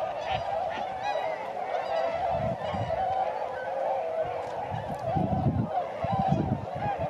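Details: A flock of tundra swans in flight at Sakata lagoon, Japan, 3 November 2018. Steady massed honking, with many birds calling at once. Bursts of low wind buffeting come and go underneath.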